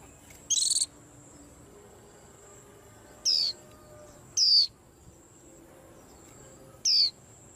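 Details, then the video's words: White-eye kept on a cage stand, calling so as to stir up the whole rack: four thin, high, descending whistled notes, each about a third of a second, spaced irregularly over several seconds, with a steady faint high hiss behind. "Tiếng Chim Khuyên Làm náo loạn cả giàn"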